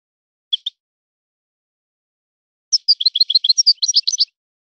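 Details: European goldfinch singing in a named local style. Two soft clicks, a pause, then a quick jumbled run of high, sweet chirps lasting under two seconds. No background noise.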